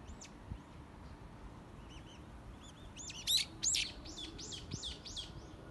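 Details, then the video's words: Songbirds by sakura give a lively run of bright, high chirps, first sparse and soft, then a dense string of quick arching notes about three per second, over faint steady background noise. "BIRDS SINGING AND SAKURA- ПЕНИЕ ПТИЦ И САКУРА"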